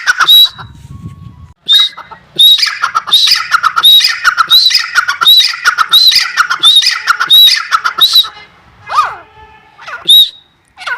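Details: Grey francolin (Francolinus pondicerianus) giving loud, harsh, ringing call notes repeated rapidly in a rhythmic series, about one and a half per second, with a brief low rumble at the start.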